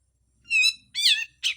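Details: Grey-cheeked bulbul giving harsh full-song material: three loud, rasping, nasal notes, the first two longer and wavering, the last short and burry, separated by brief pauses.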